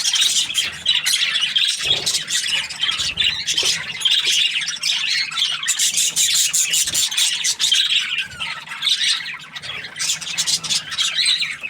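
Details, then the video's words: A budgie in good spirits chatters at length: high warbling, rapid squeaks and buzzy chirps running on continuously, with a few low knocks. "Happy Budgie chirping sounds"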